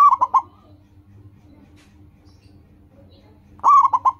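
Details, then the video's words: Two identical phrases from a loud local zebra dove, separated by about three seconds of quiet: each is a rolling coo and two short punchy coos, a song used to train caged doves to sing quickly. "Perkutut lokal gacor, suara seperti ini bagus sekali untuk melatih burung perkutut cepat bunyi."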